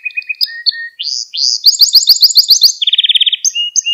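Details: Canary lesson song for teaching youngsters: short whistled notes, upward-sweeping phrases, a fast series of sharp repeated chips, a tight rattling trill, then clear whistles.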